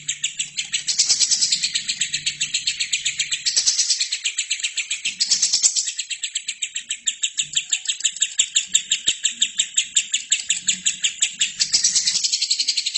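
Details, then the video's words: Lovebird in full, nonstop song, kept as a training recording for other birds: a loud, rapid, rasping chatter of buzzy notes running almost three per second for the whole stretch, swelling louder in places, with faint low background noise. "LOVERBIRD GACOR"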